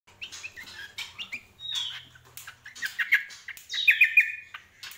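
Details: Greater green leafbird singing: a varied mix of short chirps, clear whistled notes and slurred phrases, several bright downslurred whistles near the end, with a faint low hum early on.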